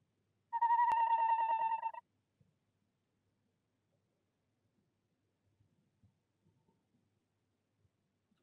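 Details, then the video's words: A female tawny owl in nest box 1 at De Mortel calls to the male during the breeding season, February 2021: a single steady, slightly quavering call of about one and a half seconds, then faint low rustles; the male answers. "Bosuil vrouwtje roept in uilenkast 1, mannetje beantwoord"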